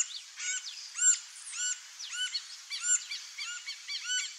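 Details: A female Green-barred Woodpecker (Colaptes melanochloros) at a nest gives a busy run of short, high, chirping notes, some clipped and some rising, tumbling over one another, over a light hiss.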